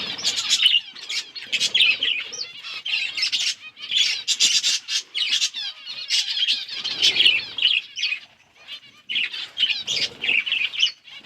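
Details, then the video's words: Budgerigars chirping while eating: dense bursts of high, scratchy warbling and chattering chirps, each lasting one to two seconds and separated by short quiet gaps. "Budgies beautiful colors and chirping sounds"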